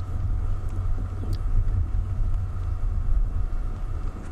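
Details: Only a steady low vehicle engine rumble is heard, with no animal calls.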